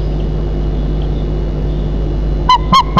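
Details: At a 35 m high nest in Nizhnyaya Kama National Park, Tatarstan, 10 May 2024 around 03:52, a breeding white-tailed eagle pair: three short, harsh yelps in quick succession after long steady low rumble and wind.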